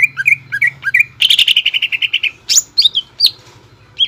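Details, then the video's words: Greater green leafbird, 'nembak ngekek' style lure song for juvenile leafbirds to copy. Looping slurred whistles lead into a fast chattering run, then rising and falling whistled notes over a steady low background hum. "PANCINGAN CUCAK IJO GACOR NEMBAK NGEKEK BIKIN CEPAT MASUK BUAT CUCAK IJO KUNINGAN"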